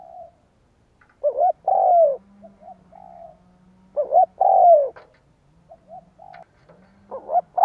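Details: Spotted dove coo for attracting wild doves: loud rising-then-falling coo phrases about every three seconds, separated by quieter brief coo notes and a steady low hum.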